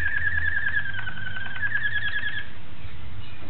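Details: Malinois Waterslager canary (recorded 26 October 2012) holding a fast, even rolled trill for about two and a half seconds that slightly dips and rises in pitch, then fades into quiet background hum.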